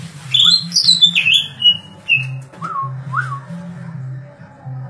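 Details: Loud sliding high whistles descend in steps, followed by a few spaced upslurred notes, as a green leafbird sings in the 'darderdor' style over a persistent low hum.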